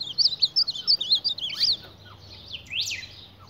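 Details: Ultramarine grosbeak squaring off with a mirror, sounding a quick series of high wavering chirps followed by two harsher upward sweeps.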